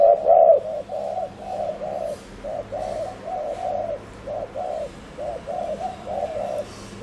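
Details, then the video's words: Spotted dove used as a decoy to lure wild doves, giving fast 'gù' bowing coos: low, hollow double notes repeated rapidly in a steady chain, the first note loudest, with faint background hiss. "Chim cu gáy GÙ ( bo ) TỐC ĐỘ kích bổi,cu gáy mồi cây"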